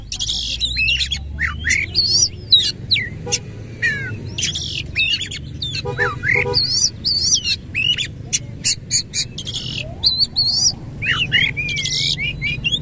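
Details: Oriental magpie-robin, or kacer, in full song with its tail spread, pouring out a long, dense run of varied whistles, upslurs and chattering notes with almost no pauses, backed by low rumbling noise.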